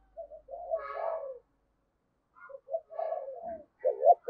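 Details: Low hollow cooing from a decoy spotted dove of the deep 'thunder' voice style used to attract wild doves; a long throaty phrase, a pause, then short coos rising to a loud final note.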